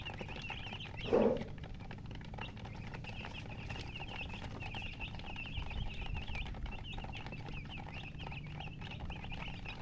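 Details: A group of coloured chicks, baby chickens thirsty for water, peeping steadily in high, rapid, overlapping notes. A sharp knock sounds early on, and low rumbling noise runs underneath throughout.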